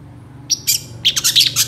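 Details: Long-tailed shrike singing a rich mimicking song used as a tutor for other birds: a high thin whistle followed by a fast run of harsh, squeaky chattered notes.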